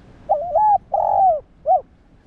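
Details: Spotted dove giving its coo to excite and train other doves: a wavering opening note, a long, full middle coo and a short, clipped final note in one phrase.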